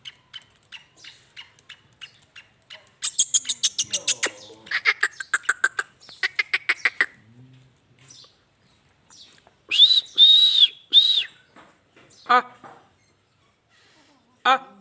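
Harsh, grating black francolin calls: fast runs of rasping clicks, then louder screechy bursts, with faint ticking notes between them.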